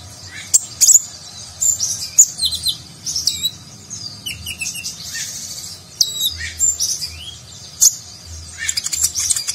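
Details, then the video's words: Sunbird (konin) delivering a varied nagen-style contest-training song: scattered high chirps and short downward whistles mixed with dense twittering, over a faint low background rumble. "Konin Gacor Isian Mewah Gaya Nagen, Cocok Untuk Masteran Burung Lomba"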